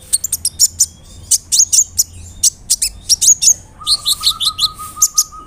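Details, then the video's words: Brown-throated sunbird with a crisp voice, singing to provoke other sunbirds. It gives a fast, continuous stream of high, sharp chirps and slurred twitters, with a steady, lower buzzing tone joining in the second half. "PANCINGAN KONIN GACOR BODY BIG SUARA NYES BIKIN KONIN LAIN TAMBAH EMOSI"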